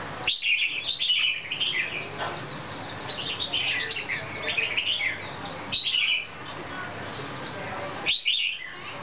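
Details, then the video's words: Red-whiskered bulbul (chào mào) singing in a heated, fired-up state while dancing with its wings: short bright whistled phrases, rising and falling, in bursts with brief pauses, over steady background hiss. "chào mào căng lửa múa cánh"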